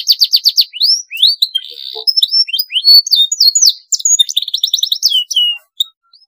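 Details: Canary song, long and rolling, used as a training master: fast repeated notes, rising slurs and a brief buzzy roll, then varied chirps and a rapid trill before a short pause.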